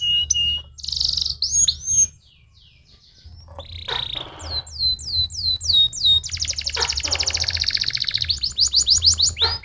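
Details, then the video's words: Canary song used to stimulate other canaries to sing: sweeping whistled notes, rising and falling slurs, then fast buzzy trills and rapid repeated chirps, with a low hum beneath. "The fastest! That stimulates the sound of the canary in a matter of seconds!"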